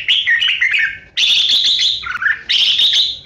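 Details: Decoy red-whiskered bulbul in 'ché' and 'xòe' fighting song, used to lure birds into traps. Three loud, rich warbled phrases are split by short pauses, each with a bright chattering run and a lower dropping slur.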